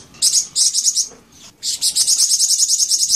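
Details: Flamboyan bird delivering bursts of rapid, high, chattering notes, broken by a short pause before running on almost without gaps.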